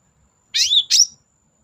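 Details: Long-tailed shrike lure sound for birds reluctant to sing: two loud, harsh, buzzy notes in quick succession, the first slightly longer and gliding downward.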